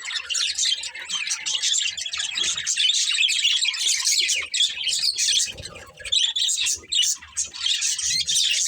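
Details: A group of budgies keeps up a busy chorus of sharp, high twittering chirps, overlapping closely, with a brief dip in activity near the middle before the chatter resumes.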